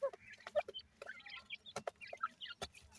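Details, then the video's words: Young francolin chicks during feeding give short, scattered chirps and peeps at varied pitches, mixed with sharp dry clicks and taps and a low background hum. "jewan teetar k bachay, new teetar new chicks feeding"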